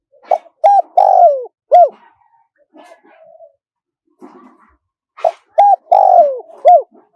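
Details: Spotted dove calling in a wild-style coo with a high, small voice, meant for playback to draw wild doves in quickly. Short clipped notes and a drawn-out falling coo, repeated twice with a quiet gap between the phrases.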